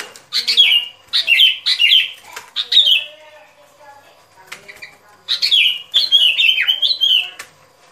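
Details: Sooty-headed bulbul song for trapping: several rich, fluty phrases of falling notes. A quieter pause follows, then a longer, warbling run of descending whistles near the end.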